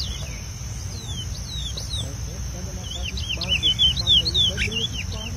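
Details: Chestnut-bellied seed finch out in the bush with its preseiro song, a lively string of clear slurred whistles, some rising and some falling, over a low steady background rumble.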